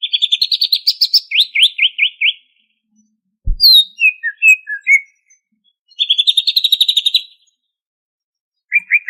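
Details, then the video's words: Energetic singing from a greater green leafbird of Banyuwangi, Indonesia, in 'ngentrok' style full of fill-in phrases. A long rattling trill and falling slurs come first, then a low knock, scattered high chirps, another fast rattle and a final burst of notes. "Kicau Cucak Ijo Gacor Asli Banyuwangi Ini Asli, Ngentrok Full Isian!"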